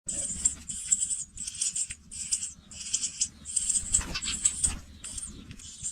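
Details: Young pipits leaving the nest: harsh, hissing high bursts repeated roughly every half second, some merging into longer rasping strings, over a soft low rumble.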